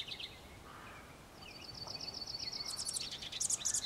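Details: House wren (Troglodytes aedon) song: a rapid, bubbling jumble of high trills and chattering notes that speeds up and climbs toward the end.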